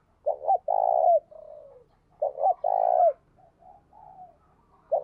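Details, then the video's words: Decoy spotted dove cooing vigorously, used to stimulate and train other decoy doves: two low coo phrases, each a short double note, then a long drawn coo and softer trailing notes, roughly every two seconds, quiet background. "Chim Cu Mồi Gáy Sung - Dùng Kích Bổi Tập Mồi Hiệu Quả"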